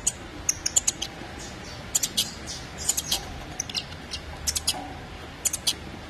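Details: Saffron finch chick calling for its mother: sharp, high, squeaky chips in short bursts, often doubled or tripled, scattered irregularly over six seconds against a faint low background hiss.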